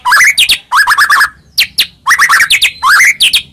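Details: White-rumped shama song to provoke a reply: repeated short phrases of quick rising warbled notes, each ending in sharp high upsweeps, about five phrases.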